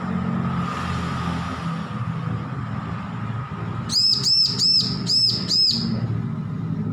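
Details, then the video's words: After a few seconds of low rumbling noise, a newly weaned young bar-winged prinia learning to sing gives a run of five rapid high arched chirps. "Ciblek lepas loloh belajar bunyi full masteran"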